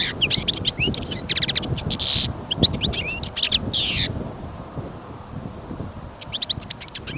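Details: Caged European goldfinch singing on a winter outing after heavy snowfall and wind: fast bright twitters, rapid ticking trills and harsh buzzy notes for about four seconds, then quieter, with wind rumble and a final short twitter.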